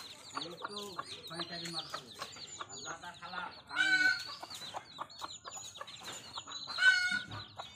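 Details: Hen with her brood of baby chicks in a village, dense high peeping from the chicks over repeated short clucks, with two louder harsh bursts from the mother.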